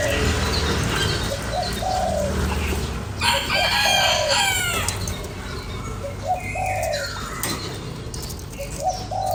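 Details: Spotted dove cooing, used to stimulate a lure bird: short, low, hollow coo notes repeated in phrases, mixed with chirps of other small birds and a burst of rustling, flapping-like noise midway.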